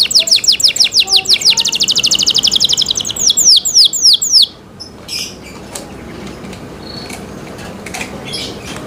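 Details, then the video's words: Cenkok-style canary song opens with a rapid, slightly rising series of whistled notes, slows into a few longer downward swoops, then fades to faint background noise after about four seconds. "LUXURY CENKOK CANARI SOUND, CLEAR SOUND"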